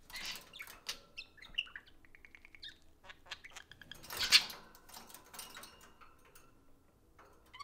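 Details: Two pet budgies at play, heard as scratchy, noisy chatter with a short run of ticking notes and one loud harsh squawk, partly blurred by rustling.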